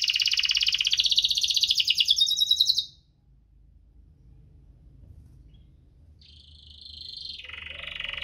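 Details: Canary performing 'cuit-cuit ngerol' song, used to stimulate canaries that rarely sing. A rapid buzzy trill for about three seconds, a pause, then a steady high rattle dropping to a lower tone.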